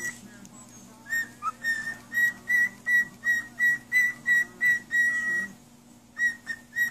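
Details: A parrot singing for a child: after a quiet second, a string of clear, pure whistled notes on one steady pitch, roughly three per second, breaks off briefly near the end, then resumes.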